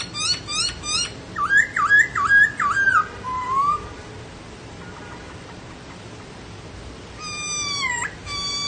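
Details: Laughingthrush singing: a burst of rapid, harmonic-rich notes, then wavering whistled phrases and a falling slur. After a quiet pause, a long downslurred whistle ends with short clipped notes.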